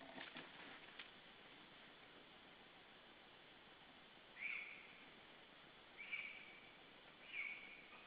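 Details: Lesser spotted eagle at a nest with a chick hatched 11 June, Estonia, recorded by nest camera on 19 July 2013 shortly after midday; three short, high yelping calls spaced one to two seconds apart, preceded by soft thumps and rustling of wings.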